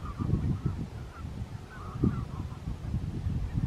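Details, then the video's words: Short, nasal barking notes from barnacle geese, repeated several times in quick succession, recorded at Strijen, South Holland, the Netherlands, on 4 November 2024, with steady low wind rumble underneath. "Barnacle Goose, Branta leucopsis, Brandgans"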